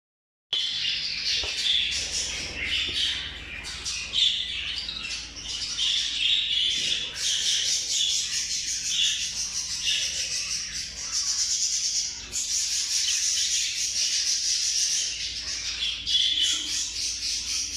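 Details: A lacewing Japanese-variety budgerigar chatters continuously with high, scratchy warbles, chirps and squawks.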